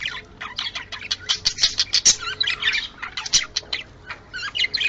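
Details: Budgerigars chattering to stir breeding condition: quick, high squeaks, rasping notes and twittering phrases that pile on top of one another without pause, and a faint steady tone sounds underneath.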